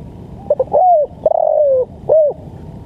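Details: A single spotted dove phrase used for training and luring birds. Two short stutter notes are followed by an arched coo, a drawn-out descending coo and a brief final coo, all mellow and low, in quiet surroundings.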